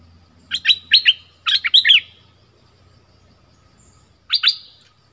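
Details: Decoy bulbul from southern Thailand gives two chattering bursts of fast, sharp chirps close together, then a shorter burst of two notes after a quiet gap.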